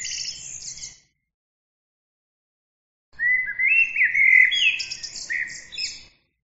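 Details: A short tail of high trilling, then one full three-second phrase of clear rising whistles flowing into rapid, scratchy high notes.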